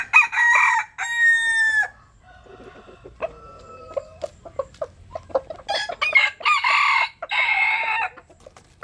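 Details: Jap Cuban bantam rooster basking in the sun. Two loud, ringing crow phrases open, then soft scattered clucks for several seconds. Another hoarse, drawn-out crow in two parts ends it.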